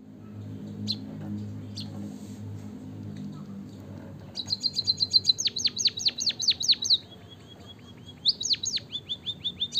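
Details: Javan munia (emprit kaji) song used as a lure to get lazy munias singing: high rapid series of sharp downslurred chirps in bursts, after a quiet low-humming start with a few isolated calls.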